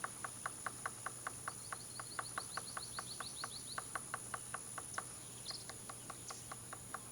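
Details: Steady knocking from a male Golden-fronted Woodpecker excavating possible nest holes at Hill Bank Field Station, taps coming roughly three per second, a brief run of high thin notes midway.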